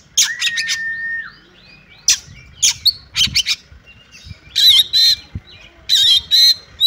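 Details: Female Oriental magpie-robin calling to a male to set it singing: a long flat whistle at the start, scattered short notes, then paired harsh rasping bursts repeated in the second half.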